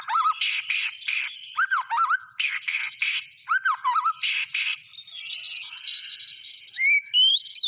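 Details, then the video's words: White-rumped shama in full, energetic song: varied whistled phrases with up-and-down slurs, dense buzzy bursts, a rising series of thin notes near the end. "SUARA BURUNG MURAI BATU GACOR"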